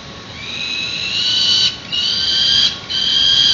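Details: Young peregrine falcons at a San Francisco nest ledge on a webcam, early morning of 1 May 2019, the morning before first fledging: harsh, drawn-out wailing screams, three long calls each about a second, rising in loudness.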